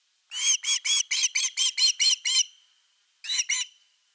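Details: Osprey calling from the nest on the evening of 30 August 2021 as a fish arrives: nine harsh, squealing whistled notes in a steady run, then after a pause two more.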